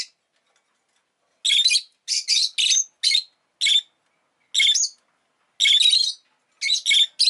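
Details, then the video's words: Shrill, buzzy chirps from a pet rosy-faced lovebird come in irregular runs of singles and quick doubles and triples, nearly one a second, without any other sounds. "Lovebird Chirping Sounds"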